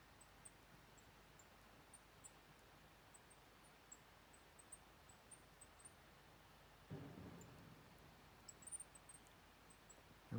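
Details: Golden-crowned Kinglets, a small group in a little tree in Plumas County, give very high, thin, tiny tsee notes scattered irregularly, over low wind rumble and a brief rustle.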